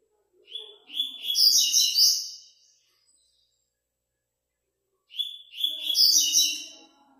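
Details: A double-collared seedeater from Praia Grande, Brazil, entered in an online song tournament, sings two bright, rapid phrases of clear whistles and buzzy trills, each about two seconds long, separated by a pause.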